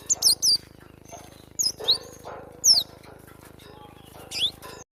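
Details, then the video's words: Cinereous tit song meant for training cage birds: bright, piercing downslurred chirps in small clusters, about one burst per second, with faint hum behind. "masteran burung glatik batu"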